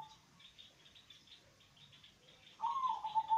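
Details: Local zebra dove song, deep and bass-like, played to lure other doves into singing; a single quick bubbling coo phrase arrives near the end after soft background chirping.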